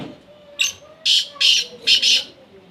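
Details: Female black francolin calling: a short high note, then three loud, harsh, ringing phrases in quick succession, with faint low hum behind.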